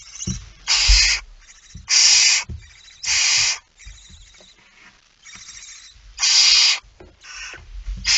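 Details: Barn owl nest at 05:28, 19 September 2019, with nest bird K5 feeding: seven or eight irregular wheezing hisses, long and short, mixed with knocks and scraping.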